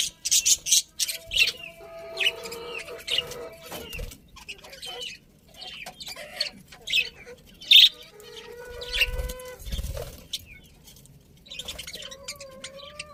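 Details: Budgerigars chirp in rapid high bursts mixed with thin whistled notes and warbling slides, busiest at the start, with quieter stretches and a few low knocks.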